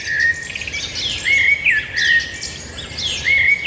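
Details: A bird repeats a loud whistled phrase roughly every second and a half, each ending in a quick downward slur, with other high twittering birds behind.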